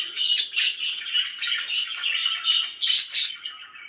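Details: Happy pet budgerigars warbling steadily, then two loud sharp squawky chirps near the end of the burst.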